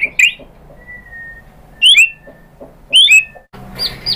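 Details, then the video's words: White-rumped shama song phrases from a lure recording intended to trigger other shamas to sing. Sparse, bright, up-slurred whistles in short bursts separated by a thin, steady whistled tone and quiet gaps. "pancingan JITU ‼️ MURAI BATU spontan EMOSI NYAUT jadi GACOR BONGKAR MATERI ISIAN ¦ SHAMA BIRD"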